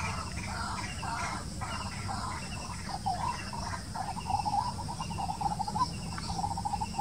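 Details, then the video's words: White-breasted waterhen giving repeated harsh notes, first in short bursts, then a fast, even run of clipped calls from about the midpoint, over a steady high insect drone and low background rumble. "White-breasted Waterhen and its Voice"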